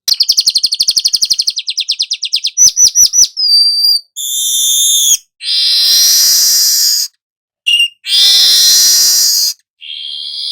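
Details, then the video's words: Golden-headed weaver song for teaching cage birds: a rapid chattering trill of clicks, a few sharp chirps, pure whistled tones, then alternating long harsh sizzling buzzes and silences. "suara manyar kepala emas"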